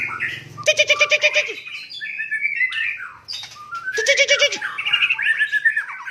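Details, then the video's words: Aceh white-rumped shama from Cot Goh, Bireuen, in Aceh province, delivering rapid harsh chattering rattles at about one and four seconds, separated by sliding, warbling whistled notes. "Murai Aceh"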